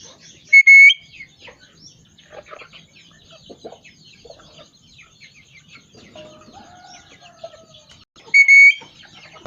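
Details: A talking parrot whistles twice, each a loud, steady double note, near the start and again near the end. Soft chirps and a low wavering call from other birds fill the gap between.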